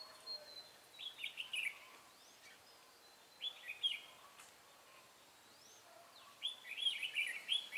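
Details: Red-whiskered bulbul during trapping, 23 March 2018, giving its rapid "ché" song: three separate phrases of quick, sliding, buzzy-edged whistles roughly every three seconds, with faint rising notes from another bird and steady hiss.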